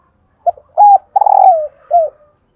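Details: Female spotted dove calling to encourage males to coo: a quick short note, a steady level coo, then a long rough coo sliding downward, and a final short falling coo, in clear quiet surroundings.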